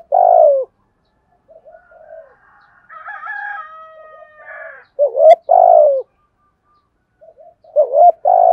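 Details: Spotted dove cooing to lure and stir wild doves: loud low coos in short bursts, interrupted midway by a softer, higher, drawn-out call, then more low coos near the end.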